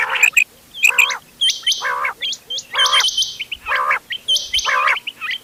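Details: Quail voices of the ghonge wal, doghla and changa kinds, mixed for hunting, 31 October 2025: grating harsh notes roughly every second, each followed by quick bright hooked whistles, some joined in short trills.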